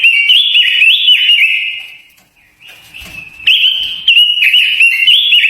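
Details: High, quick-fire warbling from a Japanese white-eye, a lure song meant to stir other birds and train their singing; rapid wavering trills, a short quiet gap near the middle, then the sweet twittering resumes strongly.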